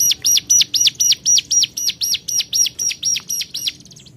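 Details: Hill prinia calling rivals with about sixteen rapid, piercing high notes in steady rhythm, fading at the end.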